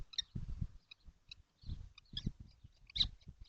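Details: Kestrels, seven together in a nesting box on a hot June day, utter short high squeaks and chirps amid frequent low rustling and scraping thumps from movement inside the box.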